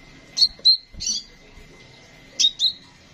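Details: Sunbird, a caged bird used as a master tutor for songbird training, gives short bursts of high, sharp chirps followed by slurred whistles, with a quiet pause between two bursts and faint low knocks.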